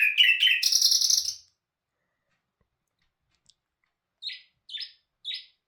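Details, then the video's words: Nightingale (bulbul hazar dastan) sings a loud, rich churring phrase, then after a silence gives three short, sharp descending notes. "Bul bul hazar dastan singing toons"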